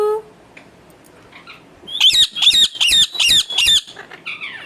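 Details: Pet parrot kept indoors, giving a run of six harsh, buzzy squawks in quick succession after a brief human voice, with no talking heard.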